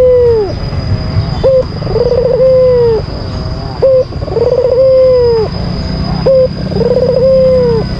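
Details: An albino Barbary dove kept as a pet repeats its rival-provoking call three times at an even pace. Each call is a short note, then a rolling trilled coo sustained and ending in a downward slur, over a steady electrical whine.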